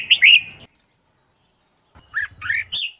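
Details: Female red-whiskered bulbul, used to stimulate males to sing, gives one bright slurred phrase, then after a second's silence a few lower downslurred notes ending on a rising note.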